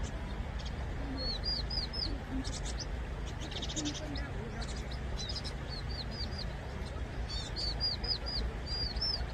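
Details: Vinous-throated parrotbill, also known locally as 붉은머리오목눈이, giving short, high, curved chirps in quick little runs of three to five, repeated several times over a steady low rumbling background.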